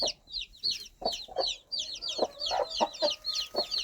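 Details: Hen calling her baby chicks with soft, low clucks roughly every third of a second, under a lively layer of high, chirping chick peeps. A faint hum runs in the background.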